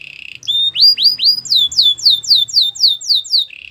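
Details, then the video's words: Belgian canary song aimed at training young canaries: a soft trill, three rising swoops, then about ten rhythmic down-slurred whistled notes before a quiet trill returns. "Canary singing for training | Belgian canary song"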